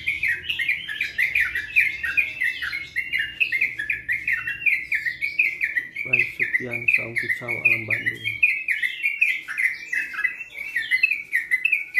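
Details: A yellow-vented bulbul, recorded around March 2021, sings a long, unbroken run of quick, bubbly chirping notes, several each second, with a brief low rattling partway through. Its singing duration is described as increasingly stable.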